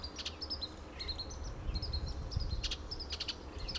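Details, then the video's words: Adult male Western bluebird calling from pine trees in California's Del Monte Forest; crisp short chips come in quick groups among thin level whistles from other birds, with soft low ambient rumble. "The sound of Western Bluebird"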